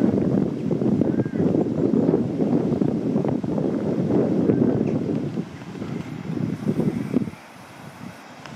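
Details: Gusty wind buffeting the microphone, dropping to a quieter rumble near the end, with no animal calls.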